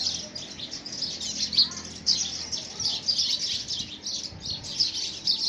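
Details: House sparrows fighting among themselves for possession of a homemade nest box in the first week of February 2017; dense, high-pitched overlapping chirps pour out continuously, with louder bursts every second or so.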